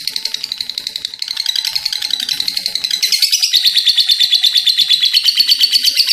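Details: Lovebird in full voice giving a long ngekek chatter, a rapid string of harsh, high, buzzy pulses that quickens and grows louder midway, then runs on steadily at a higher, brighter pitch.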